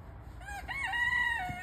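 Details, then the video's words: A young Silkie rooster finding his voice gives a short, hoarse crow: an uneven opening note rising into a sustained, slightly wavering tone that holds for about a second before dropping, over a low background hum. "Spunky our silkie rooster finds his voice! Cock a doodle do!!"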